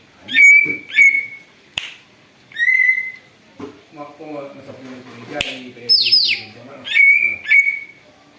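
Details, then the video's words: Greater green leafbird imitating an eagle, a lure recording: bright level whistles, some opened by steep downward slides, come in short bursts, with a low murmur of voices or music underneath. "cucak ijo ribut bisa tirukan suara elang"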